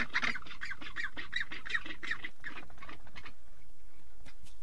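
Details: Penguin among males incubating eggs of future offspring in the cold: a harsh, raspy squawking series, about three notes per second for three seconds, then fading into quieter scattered sounds.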